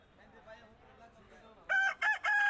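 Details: A rooster crowing: after a quiet start, loud harsh bursts in three segments with brief gaps, the last held and cut off.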